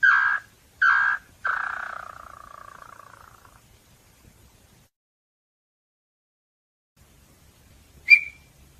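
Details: Small-billed tinamou song: three loud, separated notes near the same pitch, then a fast rattling trill that slides gently lower and fades over about two seconds, followed by silence and one sharp, brief high note.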